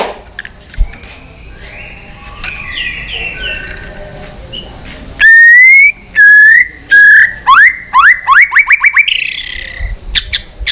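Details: White-rumped shama in fighting song: soft distant whistles, then loud long whistled notes and a quick run of rising, repeated slurred notes.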